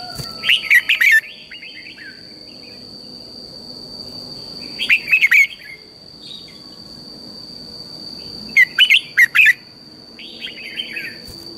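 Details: Red-whiskered bulbul singing in the morning in a fiery 'căng lửa' style, used as a decoy voice for training other bulbuls: three bursts of quick, bright chirpy whistled notes a few seconds apart, with a steady high whine behind.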